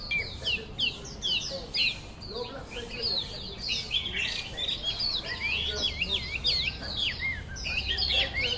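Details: Melodious laughingthrush (Chinese hwamei) in loud continuous song: fast whistled phrases, looping up-and-down slurs and rolling notes growing busier in the second half, over a faint low hum.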